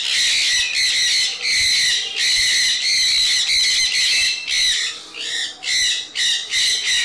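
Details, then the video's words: Sun conures, parakeets described as chirpy and loud, giving harsh, raspy screeches in dense bursts of about half a second to a second, nearly continuous with brief gaps, piercing and high-pitched throughout. "Cute & Chirpy Sun conure birds! Lovely cute and loud birds!"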